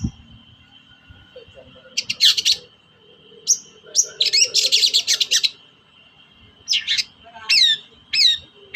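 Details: Lure recording of a Long-tailed shrike for shrikes that are slow to sing: a quiet start, then bursts of scratchy, rapid chatter, ending in sharp down-slurred whistled notes.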